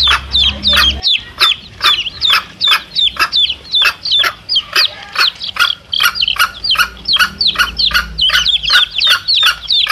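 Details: Mother hen and chicks played to attract wild junglefowl; steady, rapid clucking, about two and a half per second, under continuous high, bending chick cheeps.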